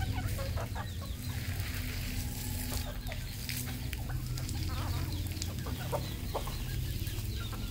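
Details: Several red junglefowl kept on a Cambodian farm give scattered clucks and brief high chirps, with a constant low droning hum and a faint voice in the background.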